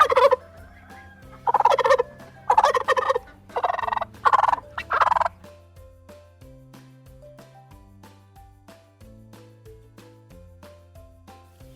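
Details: Wild turkey gobble played in a kids' bird-sound guessing game: a series of rapid, rattling gobbles in loud bursts over the first five seconds, followed by soft background music with plucked notes.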